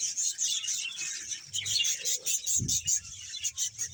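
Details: Roughly 100 pairs of budgerigars in a Bahawalpur colony chirp and warble together in a pulsing high chorus, with one dull low knock partway through.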